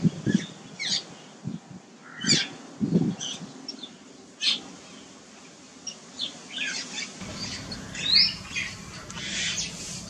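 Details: Jungle babblers, parents with a loud, demanding newly fledged chick on a lawn near its nest tree, give harsh, squeaky squawks and chatters in irregular bursts over a steady low background rumble.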